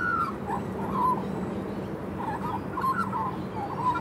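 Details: Happy juvenile female magpie singing a thank-you song: a clear high whistle at the start, then short gurgled and warbled phrases repeating through the clip, with a steady low hum behind.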